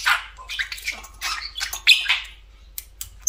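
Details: Budgerigar kept as a talking pet, sitting atop its favourite cage, producing short scratchy chirps and buzzy chattering syllables in an uneven run, ending in sharp clicks, in a small quiet room.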